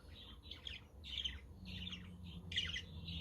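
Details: Budgies kept as pets chatter nonstop with dense, overlapping high chirps and rasping notes on a windy day. A quaker parrot and a conure can be heard in the background.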